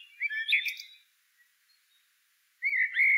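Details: Short Blackbird song phrase of mellow whistles mixed with higher twittering notes, then about a second and a half of near silence, then a loud, wavering whistled note rising at the end.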